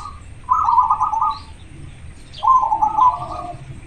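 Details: Zebra dove, local bird in breeding condition, giving two loud rolling coo phrases, each a quick trill of soft notes lasting about a second, separated by a pause.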